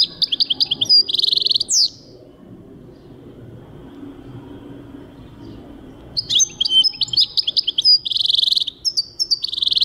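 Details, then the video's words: European goldfinch in song, 2023: bright, fast chattering phrases of clipped high notes and buzzy trills, a short burst, then several seconds of quiet, then a longer twittering passage to the end. "goldfinch singing chardonneret jilguero singing 2023"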